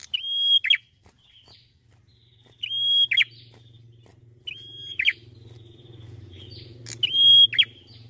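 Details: Red-headed prinia, a small bird in full, melodious song: each phrase is a steady high whistle, then a buzzy tumbling flourish. Four phrases come about every two seconds over a low hum.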